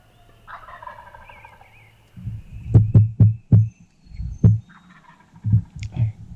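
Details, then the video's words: Wild turkey gobbles in the dark on Tennessee's opening day of turkey season. Two rattling gobbles are broken by a run of heavy, loud, low thumps. "GOBBLING IN THE DARK!"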